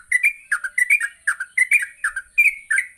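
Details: A yellow-vented bulbul's chattering morning song for training birds: tight clusters of bubbly, liquid chirps in quick bursts with brief gaps, one note held and whistled, a high whine running through.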